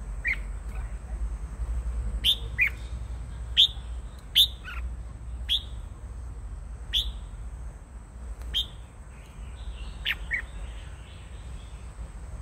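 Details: Red-whiskered bulbul giving short, sharp whistled notes, each a quick downward flick, repeated about every second over twelve seconds, with a constant high-pitched hum and low rumble underneath.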